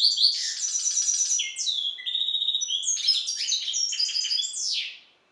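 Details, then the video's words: Captive-bred European goldfinch hybrid from the Balkan goldfinch, Carduelis carduelis balcanica, singing a fast, high twittering song of buzzy trills and bright chirps, with a descending slurred note near the end; no other sounds. "Singing the bastard Carduelis carduelis. Balcanika ( Śpiew bastarda po C.c. Balcanika )"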